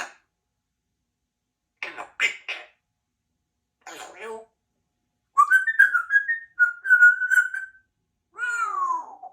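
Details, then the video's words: Two-year-old female Congo African grey parrot, a pet in a country home, chattering in short breathy bursts, then warbling whistled notes that step up and down, ending in a descending whistled slide indoors. "African Grey Parrot is only 2 but speaks quite clearly for a baby"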